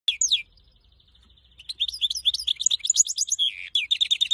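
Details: Goldfinch x canary hybrid singing in an intense burst: a few sharp chirps, a long thin steady whistle held for about a second, then a rapid, varied run of twittering, trilled and buzzy high notes.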